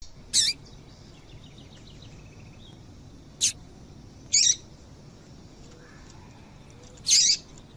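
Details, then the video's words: Female Double-collared seedeater call, used to prompt males to sing: four short, high, buzzy chirps spaced irregularly over about eight seconds, with faint high twittering between them over a quiet background. "Esse Piado de Fêmea de Papa capim é Seu Papa capim Vai Ficar Cantando RÁPIDO!!!"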